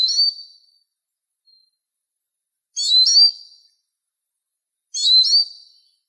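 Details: Eurasian siskin (Spinus spinus): three clear calls spaced a little over two seconds apart, each a burst of shrill chirps ending in a smooth, lingering downward whistle.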